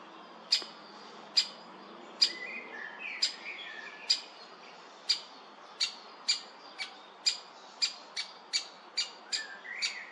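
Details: A great spotted woodpecker chick found in a tree gives sharp, high, clicky notes about once a second, with softer chittering between them and faint background noise.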